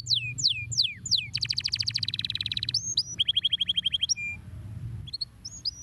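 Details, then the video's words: Stimulating canary song: swooping downward whistles lead into rapid rattling trills at different pitches, separated by short flat whistled notes, ending with a few scattered upswept chirps. "canários são bons para estimular o som de pássaros preguiçosos"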